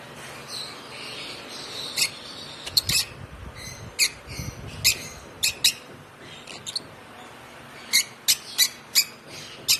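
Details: A one-month-old African lovebird, hand-fed from two weeks old, chirps repeatedly: bright, sharp, high squeaks in loose runs, some quickly doubled, with softer rustling and low thumps underneath.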